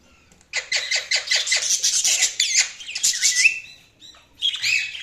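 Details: Budgerigars chirping: a busy, scratchy warbling chatter of rapid pulsed notes, with one rising whistle near 3.3 s, a brief lull, then more squawky chatter.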